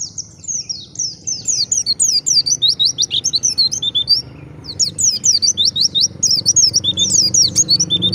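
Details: White-eye singing in the wild, used to lure other white-eyes into answering: thin high sweeping notes build into fast chattering bursts, with a short lull midway. Low background hum beneath.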